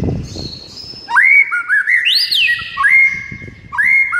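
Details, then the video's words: White-rumped shama in morning song: rising whistled phrases with a brief high swooping note, pauses between, and soft low rustling at the start. "Murai batu BISU seketika NAIK EMOSI dengar MASTERAN PAGI ini"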